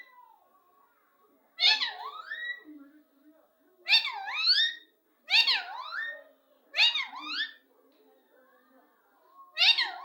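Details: Talkative pet parrot repeating loud, raspy, speech-like syllables that dip and rise in pitch, five phrases spaced about two seconds apart, quiet indoor setting.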